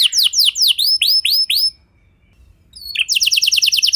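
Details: Canary song used as a prompt for other canaries to sing: a series of spaced curving whistled notes, a pause of about a second, then a rapid even trill.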